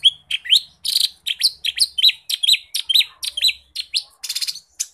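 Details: Lesser green leafbird in rich, unbroken 'gacor' song: quick sweeping whistles and chips, roughly two notes per second, with one brief buzzy burst near the end.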